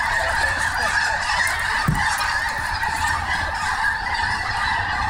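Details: Snohomish snow geese call en masse, their high, reedy honks merging into a steady, noisy chorus with no gaps.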